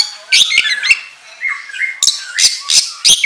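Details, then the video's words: Oriental magpie-robin song used as a training lure: sweeping whistled glides and long level notes broken by harsh, explosive bursts. "Pancingan Kacer Gacor Ngobra Menggila"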